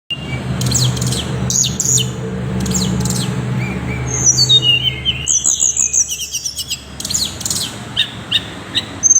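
Tickell's blue flycatcher giving thin, very high chirps and a burst of quick, sliding metallic notes midway, over a low engine-like rumble that fades out.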